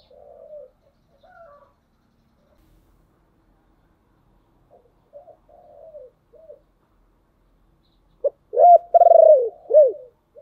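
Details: Spotted dove lure bird singing to bring in wild doves. Several quiet low coos are spread over the first seconds, then comes a loud phrase of a clipped note, an arched coo, a rapid pulsed coo and a falling coo.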